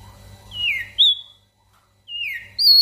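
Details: Javan grey-throated white-eye, known locally as opior jambul, singing energetically for use as a master recording to train small birds: clear whistled notes, each sliding down and then jumping up high, in two pairs with a pause between.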